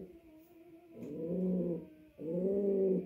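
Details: Courting male pouter pigeon calling to the female for mating: a faint low hum, then two fuller, steady coos with rich harmonics.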